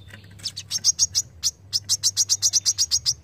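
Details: Brown-throated sunbird delivering a sharp besetan song for songbird training: a steady stream of nearly twenty rapid, piercing high notes with only one brief break.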